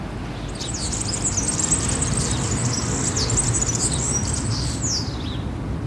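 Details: European serin in song at a town square in Zamudio, Txorierri, Bizkaia, 7 May 2018: a long, fast, high-pitched jangling trill of tiny buzzy notes lasting about five seconds, over constant low urban hum.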